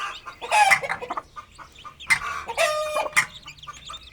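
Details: Aseel hen with her chicks feeding and playing in an open village yard; a few short clucks and chirps, one drawn-out whistled note, with quiet gaps between.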